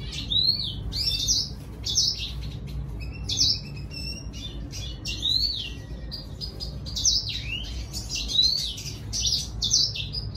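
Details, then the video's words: Red siskin singing to draw a female: lively, high-pitched phrases of looping whistled slurs and buzzy trills, repeated in quick succession with short breaks, loud and clear over faint low background noise. "Redsiskin sing a song , gray singer finch , thạch xám hót dụ mái"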